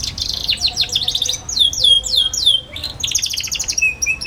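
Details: Chattering song of a young canary, used to coach other young canaries: quick high trill, a series of falling swept notes, then a buzzy rattle and a few flat whistles.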